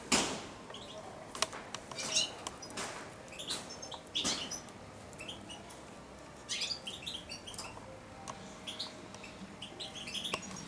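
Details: Young European goldfinch, four months old, kept in a cage and used to feeding from a hand, gives sparse quiet subsong: scattered high chirps and brief twitters separated by pauses, with clicks and rustles.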